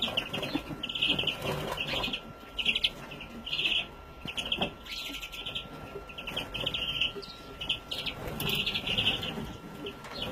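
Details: Young European greenfinch, 2017, uttering wheezy rasping calls in repeated bursts roughly every second throughout, some notes louder and longer, with a faint constant whine and low rumble.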